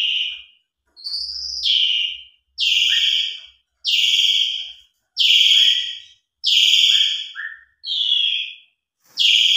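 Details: Gacor jalak suren, Asian pied starling, in a pancingan song with luxurious isian meant to stir non-singing birds: a steady series of eight loud, buzzy, falling whistles, some with a short lower note, about one per second.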